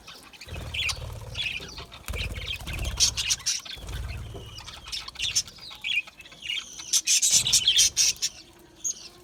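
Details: Budgies chirping in an active flock: rapid overlapping high chirps and squeaks building to a dense chatter near the end, mixed with repeated low fluttering thumps like wingbeats.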